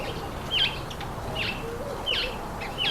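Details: Several speckled mousebirds eating an apple; sharp, high chirps with quick downward slurs, spaced roughly half a second to a second apart over a faint background hiss.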